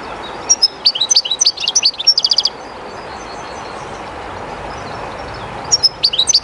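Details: European goldfinch near the running water of the river Jerte, giving a dense phrase of tinkling twitters and a brief buzzy trill, then a pause of water noise before twittering resumes.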